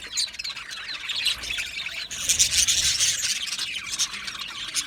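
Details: Many budgies in an aviary make rapid, busy high chirping with squeaky, scratchy notes; a louder burst of sharp twittering comes near the middle.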